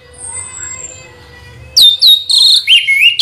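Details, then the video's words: Orange-headed thrush in rolling 'ngeroll' song: a quiet high whistle, then after a short gap a loud burst of slurred, downward-bending whistled notes in quick succession. "Anis merah ngeroll BoCOR"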